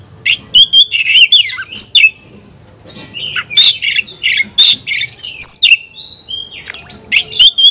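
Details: Singing hard at a rival, an Oriental magpie-robin pours out loud, varied phrases: clipped high chips, thin whistled slurs and scratchy notes in quick clusters, separated by short gaps.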